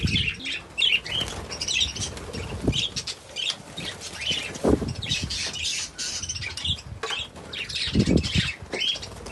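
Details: Budgerigars giving short, bright chirps repeated about every half second, mixed with rustling and fluttering wing sounds and a few low thumps.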